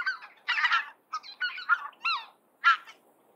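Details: Greater white-fronted geese (Anser albifrons) give high-pitched laughing cackles in quick bursts of two or three notes, each with a distinct yodel-like break in pitch between cackles.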